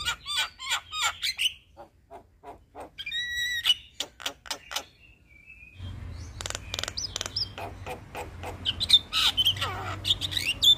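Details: Male Javan myna in vigorous rolling song, with rapid clicking series, squeaky whistles and a brief pause, then dense chattering clicks over a low hum.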